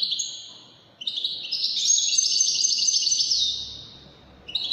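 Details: Long unbroken Wedani European goldfinch song phrase, a rapid stream of high tinkling and buzzy twitters lasting about three seconds, preceded and followed by shorter trilled fragments.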